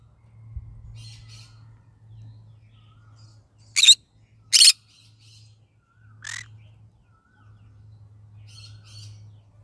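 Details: Morning calls of a pet yellow-sided green-cheeked conure: a quick pair of sharp, harsh squawks, then a shorter rasping note, with faint soft chirps and a low steady hum behind.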